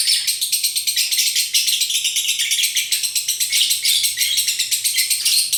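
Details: High, dense, unbroken chatter from a lovebird performing konslet song, a rapid buzzy stream of scratchy notes pulsing several times per second without pause.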